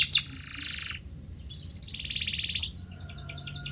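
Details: Canary song used as a training recording to encourage canaries to sing: a sharp high note, then a buzzy rolling phrase, a short gap and a fast mid-high rolled trill, with faint staccato notes at the end.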